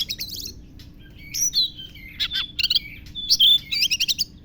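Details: Oriental magpie-robin imitating lovebird: a quick trilled chatter, then sweet whistled glides and clusters of sharp high notes, faint steady hum behind.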